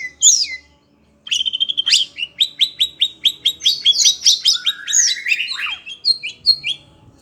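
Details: Kept kacer, roused by other birds' voices, gives one high note, a brief silence, then a rapid rattling run of about twenty evenly spaced clicks, followed by sliding whistles and a falling swoop.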